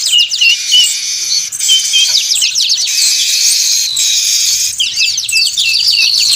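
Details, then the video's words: Lure recording of noisy weavers: a steady high wash of buzzing chatter with quick scratchy chirps and a few short whistled notes, several birds calling at once. "Suara Pikat Burung Manyar Ribut Sangat Ampuh"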